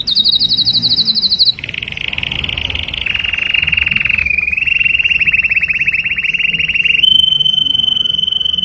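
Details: Mating song of a canary: a high, fast trill drops into lower, rapidly pulsed rolling trills held for several seconds, ending on a clear, steady whistled note.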